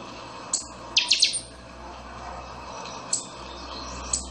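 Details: Buffy-fronted seedeater (pixoxó) in chanchão style: one sharp high note, then a fast ringing run of three or four notes, a pause, and two more isolated chips, with faint hum below.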